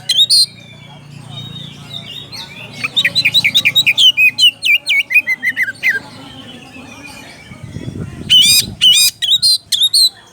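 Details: Calling a rival, an oriental magpie-robin gives a brief whistle, then a fast descending series of chirps, a pause, and a final burst of loud sharp notes.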